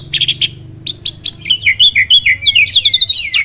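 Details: Starling song used as a training recording to provoke other birds to sing: a rapid string of clear whistled notes, each sliding down or up, delivered about three per second, opening with a few harsh buzzy chirps.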